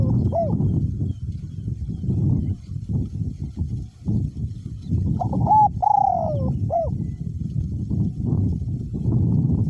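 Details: Spotted dove in a cage, a decoy bird with a small-to-medium voice, keeps cooing despite strong wind. A single curved note comes first, then a full phrase of short notes, a long descending coo and a hooked final note, over gusty wind noise.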